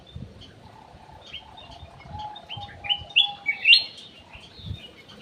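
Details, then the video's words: Golden bulbul (cucak emas, kutilang emas) kept in an aviary, singing as a lure: soft scattered chirps build into three loud, quick, rising whistled slurs near the end, with low thumps and background hum. "PANCINGAN CUCAK EMAS \ KUTILANG EMAS"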